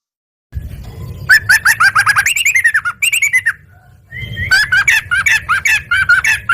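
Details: Yellow-vented bulbul singing actively and answering at once: loud, clipped rushes of chattering notes that slide downward, broken by a short quiet gap, over a low rumbling hum.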